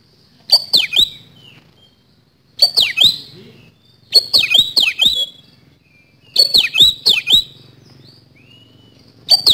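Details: Caged white-rumped shama used as a lure bird, delivering repeated short bursts of sharp clicks and descending whistles about every two seconds, over a faint low hum.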